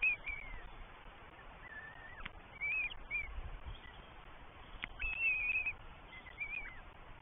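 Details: Northern goshawk chicks, three in a New Forest nest on 20 May 2023, begging as their mother and father bring breakfast; thin, drawn-out whistled squeals, some slurred downward, come in separated bursts over steady low background rumble.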